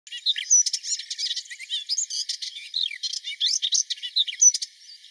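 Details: Melodious warbler in Mila on 4 May 2021, giving a fast, continuous, varied warbling song of chirps, short whistles and rapid buzzy trills, with notes tumbling up and down without pause.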